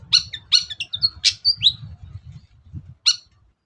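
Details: Long-tailed shrike lure song, played to get a quiet shrike singing: a jumbled mix of harsh chips, short whistles and scratchy notes in fast sequence, a brief pause, then one more harsh note.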